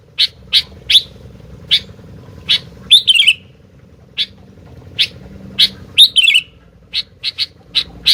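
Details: Sooty-headed bulbul uttering isolated sharp chips with pauses, plus two rich slurred descending warbles, against a soft low hum.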